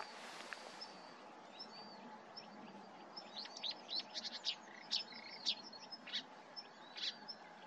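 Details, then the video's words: Marsh warbler (Acrocephalus palustris) at a bird station in 2023 sings a quick, varied run of high chips, sharp whistles and buzzy notes, growing busier partway through, over a steady background hiss. "MYRSANGER ( ACROCEPHALUS PALUSTRIS)"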